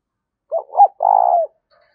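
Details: A single Spotted dove phrase, played to lure wild doves in: two quick hooked notes, then one long, steady, slightly falling coo.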